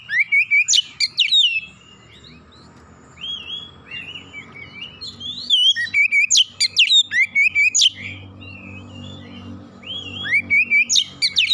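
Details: Oriental magpie-robin song used as a lure to provoke another magpie-robin into singing: bursts of varied whistled notes, sharp slurred upsweeps and rapid repeated phrases, alternating with quieter stretches, over a low steady hum.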